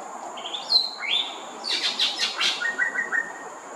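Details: Greater racket-tailed drongo, a common resident bird, singing loudly from a perch at Thomson Nature Park, Singapore: rising whistles, then a burst of harsh metallic chattering notes, ending in short level whistled phrases.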